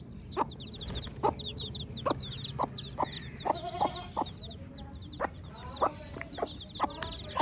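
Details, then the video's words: Baby chicks chirp constantly in a busy flock of bright, downslurred peeps. Sharp lower clucks recur about every half second to second, with a faint low hum beneath. "Baby Chick Chirping Sounds"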